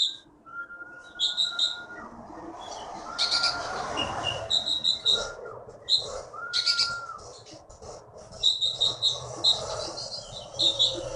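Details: Champion songbird caught in the Bangka forest, Indonesia, uttering high chirping bursts among steady whistled tones that repeat several times, over constant background noise.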